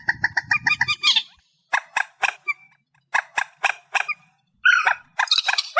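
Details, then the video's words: Reed warbler singing in amplified form: a fast rattling burst, then separated harsh chips repeated in small groups with short silences, ending in a squeaky, buzzy flourish. "Tiếng Chim Trích Ré 2024 Bản Tăng Âm"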